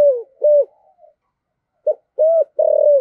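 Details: Decoy spotted dove of the deep earthy voice style; a falling coo and short note, a pause of almost a second, then three more coos ending on a long sustained one.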